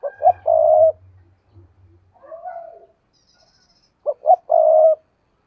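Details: Spotted dove, a decoy bird used to lure wild doves, giving low mellow coos: two short notes, then a long throaty coo, a softer warbled coo midway, and the short-short-long phrase again at the end.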